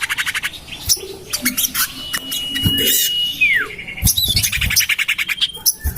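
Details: Common iora lure call for attracting birds, tested in a garden beside a house: fast buzzy chatter, then a long thin level whistle ending in a sharp downward slur, followed by more rapid chattering notes.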